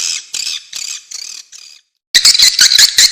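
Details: Swiftlet lure call: five evenly spaced buzzy, nasal notes, a brief silence, then a burst of loud rapid clicking chatter.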